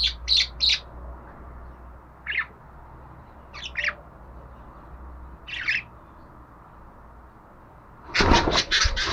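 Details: Budgerigar calls: a rapid trio of high chirps, then single scratchy notes every second or two, ending in a loud, broadband chattering burst of several fast harsh chirps.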